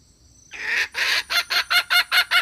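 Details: Hen giving a calling series, used as a lure; a drawn-out harsh opening note followed by quick regular clucks, about four per second, over faint background hiss.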